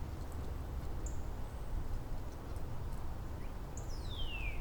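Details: Wild Northern Cardinals in Angrignon Park on March 19, neighbours exchanging variants of a downward sliding song theme; after a few faint high notes comes one long clear whistle sliding steeply down from high to low, over a steady low rumble.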